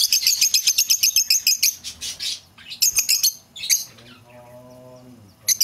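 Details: Shrill lovebird chatter used to lure back an escaped bird: fast repeated high chirps at first, then scattered calls, with a lower tonal hum near the end.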